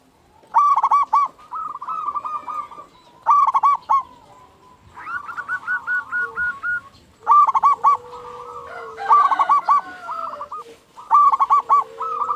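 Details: Singing local zebra doves used to arouse and provoke other zebra doves into song. Repeated phrases of quick, stuttering coos come every two to three seconds, overlapped by a second bird's steadier, rolling coo series.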